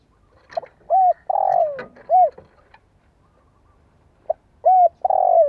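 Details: Lure cooing of a spotted dove meant to get young birds cooing: a full phrase of a soft lead note, arched coo, long burry falling coo and closing coo, then after a pause a second phrase begins.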